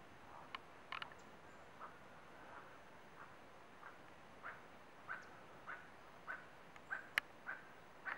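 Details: Endemic Stiles's tapaculo at El Romeral Natural Reserve, Antioquia, Colombia, 2012: short, mid-pitched notes repeated about every two-thirds of a second, over a quiet hiss with one sharp click.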